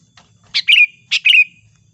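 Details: Lure call of a chatty sooty-headed bulbul used for trapping: a faint chip, then two loud bright chirps, each with a sharp onset sliding into a trailing whistled tail. A soft low hum sits underneath.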